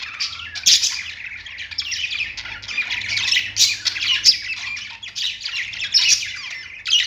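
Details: Pet budgerigars on a perch chatter and warble nonstop, scratchy squawks and thin chirps in overlapping bursts, with a faint low hum beneath.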